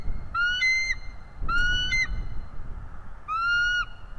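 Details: Bald eagle at a nest, filmed by a live cam while chasing off a strange eagle: two quick pairs of bright, slightly rising whistles, then a single longer upslurred note, above steady low-frequency rumble.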